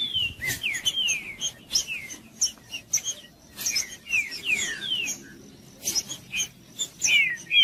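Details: Green-winged saltator singing to excite a cold bird of its kind: clear downslurred whistles in short bursts, separated by clicks and a near-silent gap midway.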